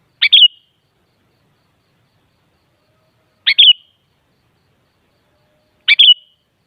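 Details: Repeated sooty-headed bulbul phrase meant to make another bulbul respond: three matching brief, gurgling downward bursts with a short whistled ending, roughly every two and a half to three seconds, against silence.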